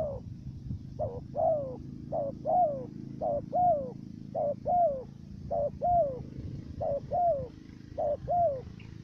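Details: Decoy dove in Cà Mau, Vietnam, cooing to lure wild doves into a trap, its first note stuttered: short low coos in pairs, each dipping then falling, repeated steadily about once a second over a low rumbling hum.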